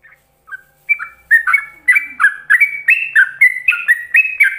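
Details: Yellow-vented bulbul singing in the ropelan style, a training song for other bulbuls to copy: after two soft opening notes, a fast, steady run of bright, slurred whistled notes, rising and falling, about four each second.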